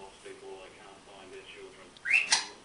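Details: A pet green-winged macaw murmurs soft, low syllables, playing with learned words like a fast light-voiced 'hello' and then singing 'lalala', ending with a sudden loud rising whistle and a harsh squawk.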